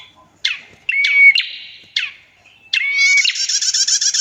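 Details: Female prinia in full song, used as a tutor and lure for other prinias; sharp chip notes and a brief clear whistle, then a long, rapid, buzzy rattling trill in the last second and a half. The recording is clean, with no other sounds.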